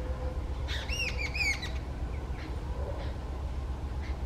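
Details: Agitated jungle babbler calling loudly: a quick burst of harsh, squeaky notes with rising and falling arches over about a second, then quieter faint notes, all over a steady low rumble of background noise.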